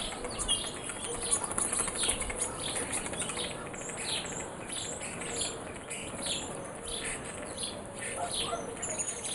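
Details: Morning bird chorus of rapid overlapping chirps and thin twittering notes, steady and lively, with faint low rustling beneath.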